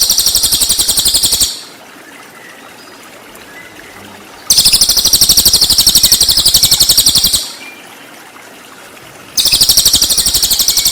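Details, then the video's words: Cililin song for training murai batu: three bursts of high, rasping, rapidly pulsed trills, each around three seconds long, separated by gaps of about two to three seconds filled with steady background noise. "MASTERAN CILILIN FULL TEMBAKAN"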